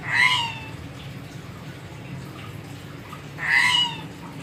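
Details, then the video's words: Crow giving two harsh, nasal caws, each about half a second long and spaced about three seconds apart, over a low steady background hum. "Burung Gagak Pencalang Gacor"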